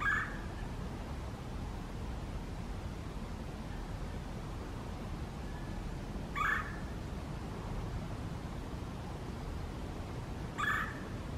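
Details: Red-bellied Woodpecker at its nest hole in Iroquois Park on the morning of March 23, 2022, gives three short rolling kwirr calls four to six seconds apart over a steady low rumble of wind or distant traffic.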